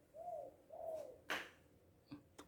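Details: Spotted dove, known locally as tekukur, balam or anduhur bolon, said to be happy and calling loudly: two smooth, low, arching coos, followed by a few sharp knocks.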